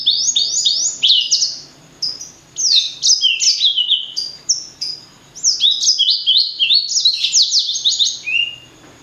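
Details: Sweet, energetic singing of a blacksang, bred from a blackthroat and a sanger: rapid phrases of high down-sweeping whistled notes, broken by short pauses, about three notes a second.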